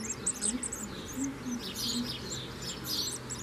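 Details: Common swift calls: thin, wavering high twitters and brief shrill screams running almost without pause, over a faint low hum and a few soft lower tones.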